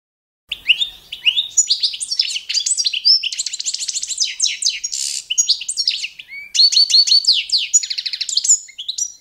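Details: Training song of the Balkan goldfinch, Carduelis carduelis balcanica, as judged in competitions: after a brief silence a long run of bright twittering, fast trills and one harsh buzzy note, continuing to the end.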